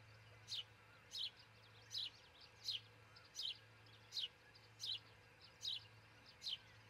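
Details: Osprey pair at their nest near Charlo, Montana, on 22 June 2018 before six in the morning, recorded by a nest camera: short, high, downward-slurred chirps repeated about once every 0.75 seconds over a low steady electrical hum.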